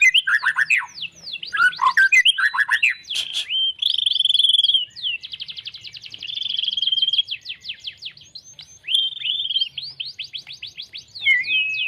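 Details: Caged White-rumped shama, a competition fighter bird, singing a loud, varied song of rapid buzzy trills, sweeping whistles and chattering notes, phrases changing every second or two.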